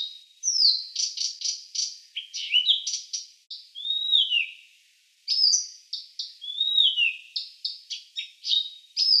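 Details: Blyth's reed warbler (Acrocephalus dumetorum) at a Russian forest edge sings a lively run of varied phrases: clear slurred whistles, sharp clicks and buzzy notes, each motif repeated a few times before switching.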